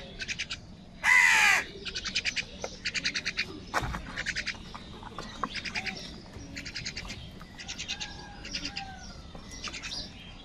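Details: Crows searching for food give harsh, raspy caws in quick repeated bursts, one louder call cutting in early.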